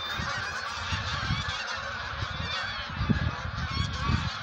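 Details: Wild geese getting ready to migrate: a dense, continuous chorus of overlapping nasal honks from many birds, with a steady background din.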